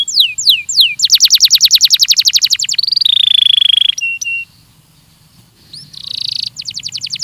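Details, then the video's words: Belgian canary training song with a few downslurred whistles, a long rapid trill, a steady high buzzy note, then a short pause before more trills. "ESPETACULAR canário belga,,! 30 MINUTOS DE TREINAMENTO DE BELGIUM CANARY VOCÊ VAI CANTAR MUITO"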